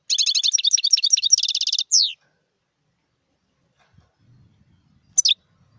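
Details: Wild European goldfinch pouring out a rapid, tinkling twitter for almost two seconds, closed by a descending buzzy note. A lone high chirp follows later, over faint low rumbling.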